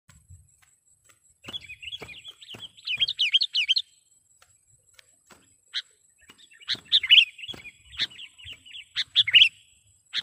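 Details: Sooty-headed bulbul call used to lure other bulbuls and to stir quiet ones into singing: bursts of bright, warbling chirps at about 1.5–4 and 6.5–9.5 seconds, separated by short sharp single notes and near silence.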